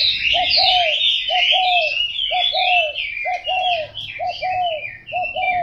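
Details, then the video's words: Spotted dove uttering rhythmic low coo phrases, a quick note followed by a longer falling one, about once a second, overlaid by continuous loud high-pitched twittering from another bird. "Cu gáy"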